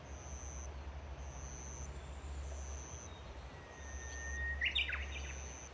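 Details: Japanese bush warbler singing after rain at 18:12 on an evening of 16 June in Shikokuchuo, Japan: a long steady whistle, then a quick tumbling flourish. Repeated thin high tones and a constant low hum run throughout.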